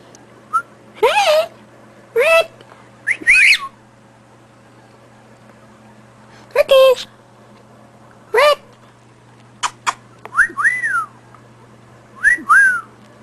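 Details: A male cockatiel gives repeated wolf whistles, clear swooping notes rising then falling, excitedly whistling at another cockatiel on the floor.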